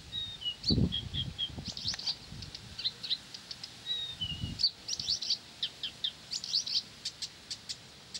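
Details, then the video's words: Blyth's reed warbler singing continuously, mixing falling whistles, buzzy chatter and a run of evenly spaced sharp clicks, with occasional low thuds in the background. "САДОВАЯ КАМЫШЕВКА НЕ В СИЛАХ ПОМОЛЧАТЬ!"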